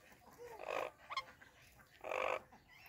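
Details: Indian ringneck parrots greeting each other give short harsh squawks, two loud broad bursts plus a brief sharp note between, over three seconds in a quiet room.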